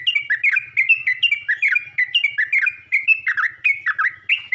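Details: Yellow-vented bulbul calling to other bulbuls: rapid, steady series of bubbly, slurred chirps, each note dipping and rising, about four per second without pause, with faint low thumps beneath.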